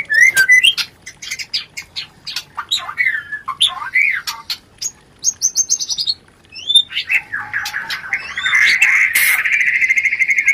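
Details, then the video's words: White-rumped shama sound played to stimulate mating; sharp chips, clicks and short whistled slurs in a busy burst, closing with a steady buzzy trill. "pancingan Suara Rencetan Ini Ampuh Membakar Birahi Murai"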